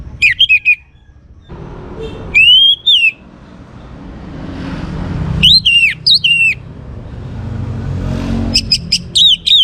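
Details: Orange-headed thrush, young, singing in short bursts of buzzy descending whistles and chattering notes spaced a few seconds apart, over a low traffic rumble.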